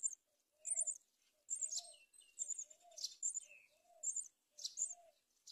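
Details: Myna mother delivering locusts to nestlings on a palm tree; loud clusters of harsh, high chirps repeat roughly every second, while soft low coos from another bird sound regularly beneath.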